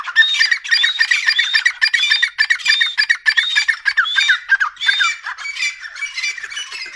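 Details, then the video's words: Loud, continuous, harsh calling from a Dakhni Irani grey francolin pair: raucous squawking phrases repeated several times a second without a break. "Top dakhni Irani Tetar pair sounds"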